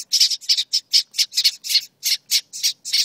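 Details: Nestling birds in a birdhouse protest at the camera with loud, raspy, hissing squawks repeated about three to four times a second in a steady stream.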